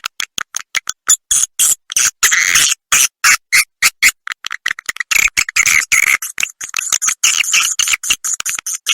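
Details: Edible-nest swiftlet lure sound, played to attract swiftlets to roost, "Ratu Birahi" roosting type: quick buzzy twittering pulses in an unbroken stream, growing denser and more chattering toward the end.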